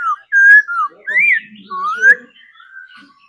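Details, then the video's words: Trained laughingthrush whistling in its daily practice: a few long, pure, gliding notes, some rising and some falling, with short gaps between. "Khứu hót múa đẳng cấp. Luyện chim hót múa mỗi ngày"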